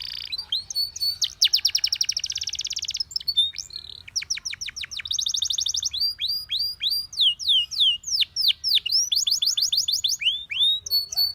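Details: Long canary song for training canaries: varied rapid trills, stuttering repeated notes and a series of swooping slurred whistles, several phrases in succession, bright and high throughout.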